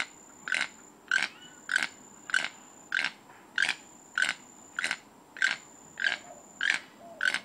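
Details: Toucan mating song heard as a long run of regular, grunting croaks, close to two every second, each a short harsh pulse, with a faint continuous high hum behind.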